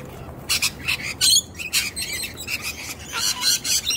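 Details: Young wild sulphur-crested cockatoo calling with a quick series of harsh, buzzy high squawks, roughly three or four per second, while not falling for a nut-hiding trick.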